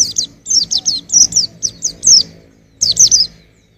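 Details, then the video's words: A near-continuous string of about eleven bright, downslurred chirps from a white-eye, a pause, then four more quick notes; singing meant for training songbirds. "Kicau Pleci untuk Masteran"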